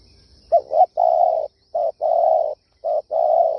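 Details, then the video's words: Spotted dove call meant for rousing decoy birds. A doubled opening note is followed by long, steady, mellow coos alternating with short coos in an even, repeated pattern. There are no other clear sounds. "Tiếng chim cu gáy siêu hay chuẩn kích bổi"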